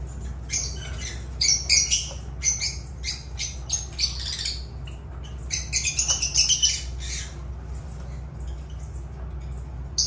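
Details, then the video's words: Lovebirds (Agapornis) chatter in rapid, sharp, high chirps and squawks packed into busy runs, which thin out toward the end, over a low steady hum. "Agapornis love birds sounds"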